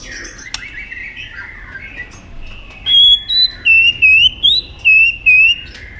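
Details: White-rumped shama singing in competition: a soft, murmured start, then six loud, clear whistled notes with slight upward twists, repeated at steady intervals.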